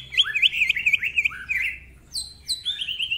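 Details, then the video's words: Greater green leafbird singing in the rapid ngentrok style with many varied phrases. Jumbled looping whistles run together, then short high descending slurs repeat after a brief gap. "Cucak Ijo Gacor Ngentrok Full Isian, Nembak Rapet Suara Kasar Isian Mewah"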